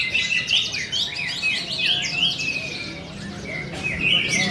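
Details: Orange-headed thrush, a young caged bird only four months old prepared for a contest, pours out rapid varied whistles, about four short phrases per second, bright rising and falling slurs mixed with sharp chirps.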